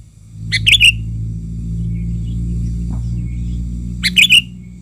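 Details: Agitated Sooty-headed bulbul lure bird calling to draw in wild bulbuls: two brief liquid phrases of quick chattering notes ending in a sharp whistled flourish, about 3.5 seconds apart, with a constant low mechanical drone between them.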